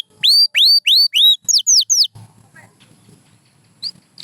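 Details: Pure white canary gives a series of rising, whistled upslurred notes, then three quicker falling chirps, before the song stops and only faint background noise and one last chirp remain.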